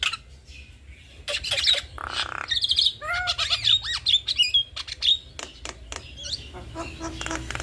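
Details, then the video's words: Male and female Javan myna duet: clicks and rasping squawks, a run of curving nasal notes and clear rising whistles, with low background hum throughout. "Jalak Kebo Jantan Dan Jalak Kebo Betina GAcor Duet Kicauan Jalak Kebo"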